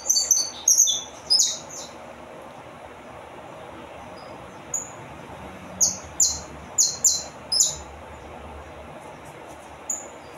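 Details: Saffron finch song in scattered bursts: loud, high, clipped notes in quick clusters, separated by pauses of a second or more, with soft background noise between phrases.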